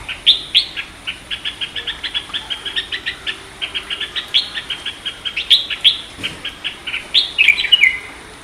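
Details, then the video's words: Red-whiskered bulbul, called Indian bulbul, singing: a long run of quick, bright chirping notes, about three per second, with sharper accented notes in between. The background is quiet. "red whiskered bulbul singing 🎶 indian bulbul bird sound"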